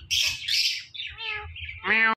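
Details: Ringneck parrot giving loud, harsh squawks, then softer chattering notes. It ends with a strong, nasal, buzzy cry.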